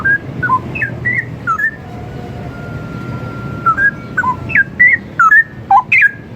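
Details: Straw-headed bulbul song, used as training material for other songbirds: short, liquid whistled phrases that swoop up and down in quick bursts. One long, steady, thin tone runs through the middle, over a low background hum.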